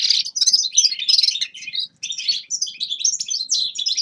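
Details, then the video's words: Grey-crowned goldfinch song: quick tinkling phrases of chirps and metallic twitters, broken by a short pause near two seconds, then resuming with clipped, bouncing notes. "Седоголовый щегол Carduelis caniceps певчая птица"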